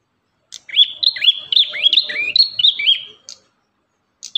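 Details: Ashy tailorbird song in master training material: a steady run of rising, hooked whistled notes, about four per second for nearly three seconds, then a few separate clipped chirps.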